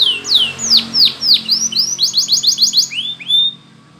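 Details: Spanish Timbrado canary training song: a run of loud downward-curving whistles, then a quick rattling burst of repeated notes and a final rising slur, with a faint low hum underneath.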